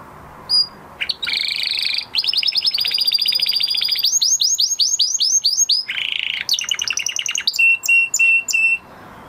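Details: Post-moult canary song: a rapid buzzy trill, a series of downward-sweeping chirps, a harsh rolling burst, then quick chattering notes and level whistles, with faint low room noise.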